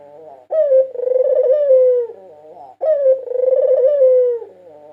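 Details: Cooing of a white dove that was a 2022 national champion, used as a lure recording: two long, mellow, rolling coos about two seconds apart, each beginning with a clipped rising note.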